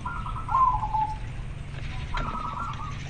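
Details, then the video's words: Male local zebra dove calling to a female: two quiet rolling cooing phrases, the first dropping slightly in pitch at its end, separated by a short pause, over a low background hum. "Perkutut lokal gacor sangat jernih suara panggilan jantan manggil betina"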